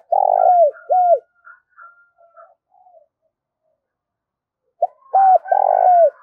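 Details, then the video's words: Cooing of a spotted dove kept as a decoy to draw in wild doves. A long coo and an arched note open, then soft faint notes, then a pause before the phrase returns: short note, two arches, long coo. "tiếng chim cu gáy mồi gáy gọi chuẩn kích bổi hiệu quả"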